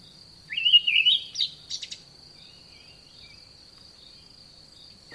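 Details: An olive thrush in a garden gives one short, warbling phrase, then a few dry clicks and the start of another phrase, over a steady high insect drone.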